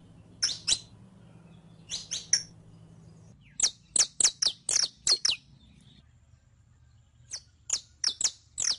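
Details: Saffron finch, called canario criollo, singing in captivity as a training recording; bursts of piercing high chips, a fast run of about eight notes in the middle, then a looser group after a brief lull, faint hum underneath.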